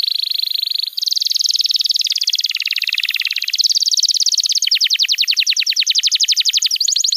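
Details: Canary master song used to train young canaries and coax silent birds into singing: a continuous rapid trill shifting between several pitch levels, each section a fast, even run of chirps with brief breaks between tours.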